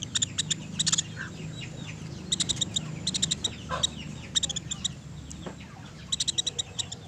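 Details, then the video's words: Woodpecker on a clean tutor recording for songbirds: repeated bursts of bright, high chattering notes, three to six per burst, spaced every second or so, with faint lower squeaks and background hum. "MASTERAN PELATUK SUARA JERNIH"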